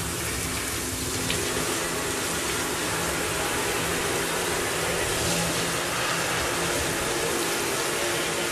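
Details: Steady, loud engine and traffic rumble fills the whole recording, with no clear animal voice standing out.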